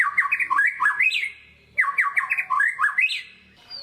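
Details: White-rumped shama, a kept bird, in a lure song to stir lazy singers: two rapid bursts of scratchy, warbling, jumbled notes separated by a short pause, indoors-sounding.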